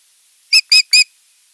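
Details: Osprey calling at the nest while visiting its sleepy mate, 8 June 2023, on a nest camera: three loud, piercing, slightly rising whistles in quick succession against a quiet background.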